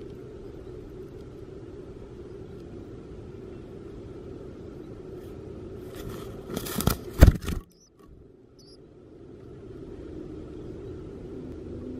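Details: Steady low rumble like distant traffic, broken by a burst of scraping and crinkling, a brief dropout to near silence, then the rumble again.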